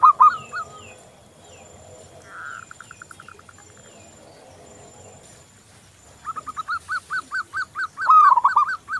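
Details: Zebra dove, local type, song used as a lure to make other doves sing: faint purring trills at first, then a series of rising-falling cooing notes repeated quickly, ending with a louder warbled coo; another dove calls faintly in the background.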